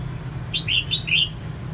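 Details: One phrase from a female red-whiskered bulbul used to rouse males: four mellow, slightly buzzy whistled notes in quick succession, over a soft low hum.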